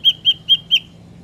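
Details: Ashy drongo singing in the wild, a lure recording for trapping drongos: four clear, evenly spaced whistled notes of steady pitch, delivered quickly, with faint low hum beneath.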